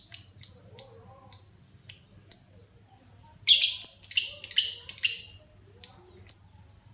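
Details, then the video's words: A child's pet lovebird beginning to sing actively: evenly spaced piercing high tweets, then a burst of dense, scratchy, buzzy chatter, then two more clipped tweets, over faint low background hum. "Burung LB mulai gacor"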